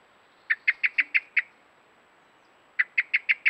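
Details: Common blackbird, beak full of worms, calling in alarm at a trail camera: two rattling runs of about six hard, clipped notes, separated by a pause of more than a second.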